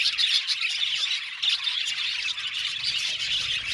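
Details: Aviary flock of budgies squawking and chirping, a busy high-pitched chatter with some harsher squawky notes and short pulsed twitters layered over the steady background of many calling birds.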